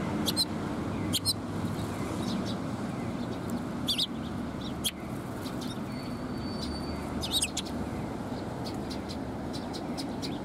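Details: Sparrows gathering around a person at a Tenmangu shrine on the afternoon of 13 March 2020: short, sharp high chirps in scattered bursts, a few close and loud, over a steady low rumble of background noise.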